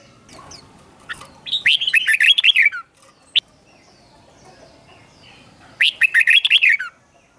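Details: Red-whiskered bulbul kept as a cage bird sings its doubled song, meant for chicks to learn: a long run of rapid, chirpy warbled notes, a pause with one sharp click, then a second similar burst.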